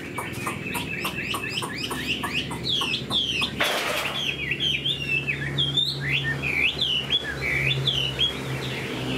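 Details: A caged hwamei with fresh new plumage sings while flicking its fanned tail: repeated clicking notes give way to a loud burst, then sweet swooping whistles, over a low background hum.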